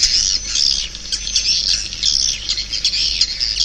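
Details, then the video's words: Short burst of swiftlets: tight, high, squeaky chirps and thin trills overlapping in a steady, lively chatter. "Suara Walet 5"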